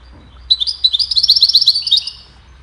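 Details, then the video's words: Goldfinch singing a cheerful melody, a recording for teaching songbirds: a quick run of bright, tinkling twittered notes, about fifteen in two seconds, high-pitched and slightly buzzy, over quiet low hum. "Goldfinch sings a cheerful melody to teach the birds goldfinch chirping"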